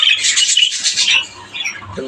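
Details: Captive breeder budgerigars, housed alongside parakeets, give a loud burst of raspy squawking chatter for about a second, which then fades into quieter scattered chirps.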